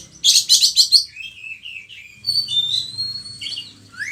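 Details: Oriental magpie-robin (kacer) in lively gacor song, used in Indonesia as a lure and tutor recording for other kacer; a fast burst of dense high chattering notes, then sliding whistled phrases and a final rising whistle.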